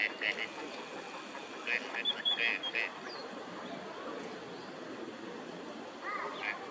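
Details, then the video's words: Gadwall (Mareca strepera) in a park pond at Junsai-ike green area, Chiba, Japan, December 2025, a winter visitor, giving short nasal, reedy calls in quick clusters with a few brief squeaky notes over a steady hum of distant traffic. "オカヨシガモ鳴き声 (Mareca strepera) - カモの鳴き声 / Gadwall sounds"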